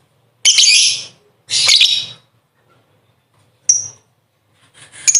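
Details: Ngekek long chatter of a lovebird, used as master song for training contest birds: two dense, rasping high bursts close together, then a shorter whistled note and a final rising burst.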